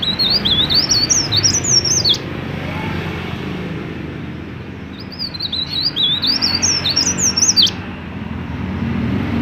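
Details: Two bright, rapid phrases of high, up-and-down whistled twitters, each about two seconds and separated by a short quiet spell, from a mountain leaf warbler singing steadily to stimulate other leaf warblers to sing. Low-pitched background noise.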